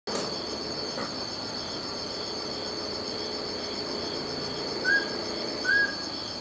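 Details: Mountain scops owl giving two short whistled notes, slightly rising then level, about a second apart near the end, over a steady high drone of insects and crickets.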